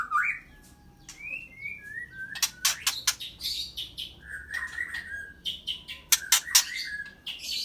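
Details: At a bird farm in Medan, a white-rumped shama (murai batu) sings falling whistled notes and warbled phrases among rapid sharp clicking bursts, with a constant low mechanical hum underneath.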